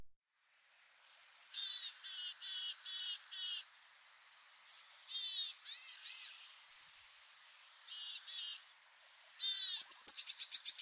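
Willow tit calls: a thin high introductory note followed by a run of three to five harsh, nasal, buzzy notes, repeated in several bouts.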